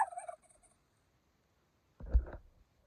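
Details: Domestic turkey in mating season, during courtship display: faint higher chatter at the start, then after a silent pause a single loud, low, rattling gobble lasting about half a second.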